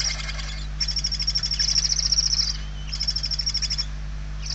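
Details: Hungry barn owl chicks inside a nest box in Spain, 28 November 2023, giving harsh, pulsed hissing begging calls in long bursts of one to two seconds with short pauses, over a steady low electrical hum.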